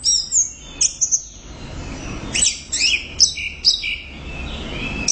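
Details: A loud, actively singing orange-headed thrush delivers rapid, high, thin warbling phrases of varied whistles, scratchy notes and down-slurred squeaks in short clusters. Little other sound is heard.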